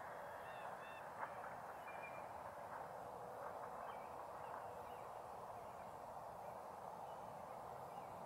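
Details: Sandhill cranes in a hay field in Simcoe County, Ontario, on the morning of 29 March 2018, where two were dancing, give a dense chorus of overlapping rolling, trumpeting calls that forms a steady roar with a few higher notes standing out.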